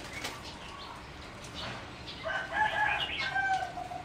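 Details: Bred competition singing zebra dove in a flight cage, recorded 30 April 2014; a tonal, harmonic run of notes begins after a quiet, rustling start and sustains over the final second and a half, with background noise.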